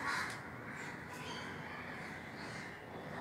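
A Sulphur-crested Cockatoo gives a harsh, grating screech, loudest at the start and then drawn out raspily for about three seconds.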